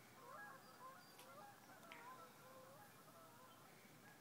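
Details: Geese over a marsh at sunrise on a Sunday morning, 11-4-2011. Softer, more distant honks come in quick irregular succession against a quiet wetland background, with a couple of brief clicks.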